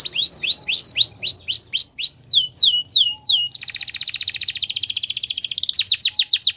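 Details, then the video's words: Belgian canary song used to train young birds: a run of rising chirps repeated about four times a second, then a dense, fast metallic trill and more sharp upswept notes. "The best canary training | Belgian canary"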